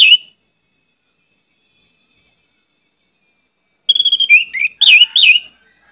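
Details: Orange-headed thrush with a brief whistle, a long silence, then a quick burst of slurred whistles and buzzy chattering notes near the end.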